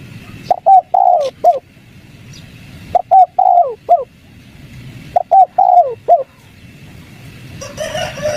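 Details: Spotted dove calling, used to lure wild doves into answering: three phrases of low hooting coos, each a short note followed by a longer drawn coo and a clipped ending, repeated about every two and a half seconds.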